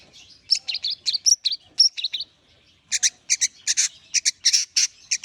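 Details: Long-tailed shrike warming up, a rapid run of scratchy, chattering notes followed by a brief pause and a series of loud, harsh, buzzy rasps repeated several times a second.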